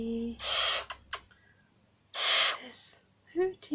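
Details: Captive barn owl, grumpy while being tickled during early glove training, gives two harsh, breathy hisses of about half a second each, two seconds apart. A person's brief voice and soft handling sounds are heard between and after them.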